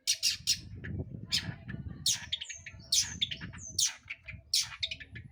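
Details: Long-tailed shrike singing to provoke other birds into song: harsh, scratchy bursts mixed with short high whistles, coming in irregular clusters about every second, over a low steady rumble.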